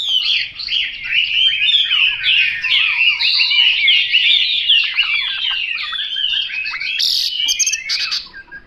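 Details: Continuous rapid Chinese hwamei song, a dense stream of whistled glides, warbles and chattering notes with a few sharp high accents.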